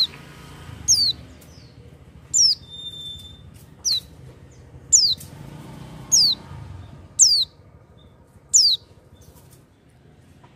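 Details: Oriental white-eye singing actively without doping: single sharp high chirps sweeping downward, spaced about every one to one and a half seconds, over a quiet low rumble.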